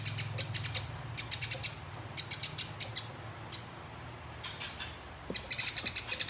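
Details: Competition sparrow in fighting mood giving short rolling groups of bright high chirps separated by pauses, the final burst the densest, over a low steady hum.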